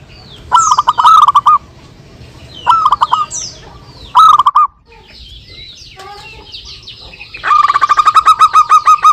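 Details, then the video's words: Local zebra doves, lively singers, answering one another, used as a lure: three bursts of quick stuttering coos about two seconds apart, a pause filled with softer chirps from other birds, then a long run of evenly pulsed coos. "perkutut lokal gacor suara saling saut cocok untuk pancingan"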